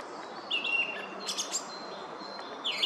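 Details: Song thrush in a forest at Oostvlietpolder, 24 February 2021. A clear whistled note, then a brief burst of sharp high notes and a closing squeaky phrase, with a faint steady hum underneath.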